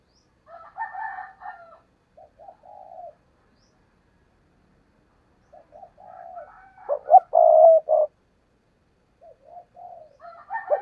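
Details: Caged decoy spotted dove used to lure wild doves into a trap, giving bursts of low hollow coos. Short clipped notes lead into a longer, louder phrase, with silent gaps of several seconds between bursts.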